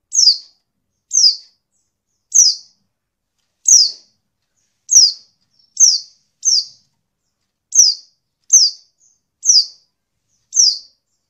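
A female Oriental white-eye gives high, thin, down-slurred chips, about one each second at a slightly uneven pace, with no other sounds.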